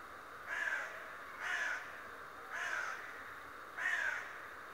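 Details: Raven, said to talk, giving four hoarse, slightly drawn-out caws about a second apart, with constant low hiss behind.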